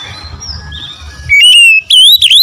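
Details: Oriental magpie-robin in konslet style, unloading its isian fill-in repertoire: after a second of faint background chirps, loud clear whistles start, a steady note, then rising and wavering whistled notes.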